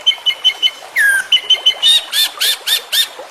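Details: White-rumped shama training song with full content: clipped notes repeated evenly, a single descending whistle, then harsh rasping bursts about four each second.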